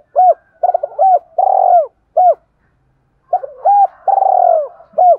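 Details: Cooing of a spotted dove, played to urge a decoy bird to call: two full phrases of clipped hollow coos, each running into a long rolling note, separated by a short silence.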